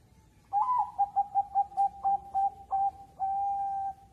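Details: Caged zebra dove of Bangkok stock from Jepara, Central Java, bred for singing competitions, delivers a mellow cooing phrase: a slurred opening, then about eight quick, evenly spaced coos, and a long steady final note.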